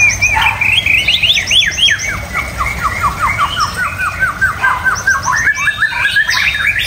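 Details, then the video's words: White-rumped shama delivering a long series of quick, repeated down-slurred whistled notes, about four a second, then varied twittering phrases, with faint low hum. "Kicauan Murai Batu"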